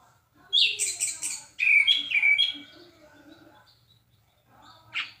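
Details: Orange-headed thrush in loud, clear song: two dense bursts of varied whistled and buzzy high phrases, each about a second long, then quieter low notes and a short final note.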